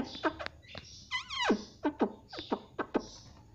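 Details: Pet Indian ringneck parrot making a brief wavering squawk amid a series of short clicking, tongue-like notes and soft background noise.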